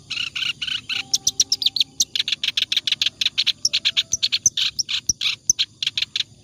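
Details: Continuous ngacor song of a clamorous reed warbler, used to tutor other birds; dense, scratchy chatter of quick repeated notes running without pause, with brief clear whistled tones in the background.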